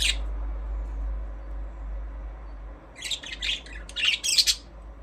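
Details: Pet budgerigars chirping: a short burst at the start, then after a pause a run of scratchy, buzzy chirps and squawks climbing in busy clusters over the final two seconds, against a low steady hum.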